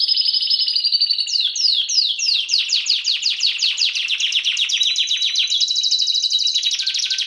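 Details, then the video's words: Timbrado canary singing continuously, a dense stream of rapid high trills, with a run of downward-sweeping notes repeating several times a second, then steady rolling trills near the end. "CANARY SINGING BEST VIDEO TO TRAINING CANARIES"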